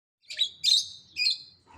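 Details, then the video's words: Parrot giving three harsh, buzzy squawks in quick succession, each a short noisy burst, the middle one longest, with a faint low rumble underneath. "Parrots Sound effects"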